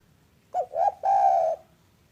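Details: Spotted dove of a local strain, recorded in the afternoon as a lure to prompt other doves to call: one mellow, low coo phrase of two short notes and a longer drawn-out final note.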